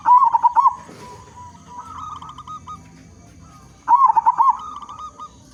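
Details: Zebra dove, a local bird noted for its loud voice and kept to prompt others of its kind to sing: loud, quavering coo phrases open and recur near four seconds, with faint answering doves and soft rumble beneath.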